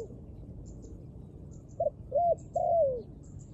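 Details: After a quiet start, a dove gives a short hoot, an arched coo, and a long note drifting downward at the end; faint chirps from other birds.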